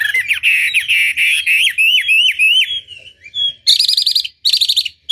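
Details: Chinese hwamei, a caged bird kept for song, delivering loud whistled phrases that swoop up and down in repeated notes, then rapid buzzy trilled bursts near the end.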